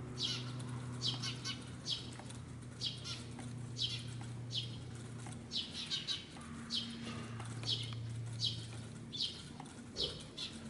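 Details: Eurasian tree sparrow adult fussing restlessly near its fledgling in a Japanese apartment bicycle park, acting as a decoy. Repeated bursts of fast, high chips every second or so, with a low humming machine in the background.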